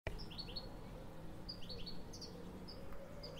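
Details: European goldfinch (Carduelis carduelis) call: quick, bright, tinkling twitters in short bursts, high-pitched and liquid, over a steady low hum of background noise.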